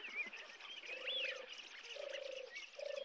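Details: European turtle dove at RSPB Frampton Marsh Reserve, recorded from the car park on 26 July 2020: three low, purring phrases of about half a second each, with other small birds chirping higher in the background.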